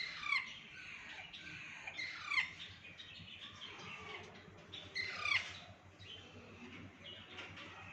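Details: Rose-ringed parakeet at a pet market giving harsh, shrill downward squawks in small clusters, roughly every two to three seconds, over a low background hum.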